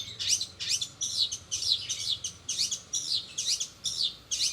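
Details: Long-tailed shrike in rapid rolling song, with imitations of sparrow, canary and sogon calls: hurried high buzzy chattering phrases repeated about once a second over a steady low background hiss.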